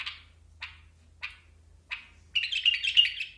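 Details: Basra bulbul giving four short, harsh chirps about 0.6 seconds apart, then breaking into a rapid, jumbled warbling chatter, with a low steady hum underneath.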